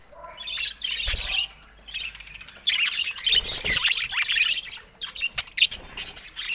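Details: Several caged budgerigars going at a camera. Harsh squawks and continuous scratchy twittering rise and fall in loud bursts, with a brief low bump near the start.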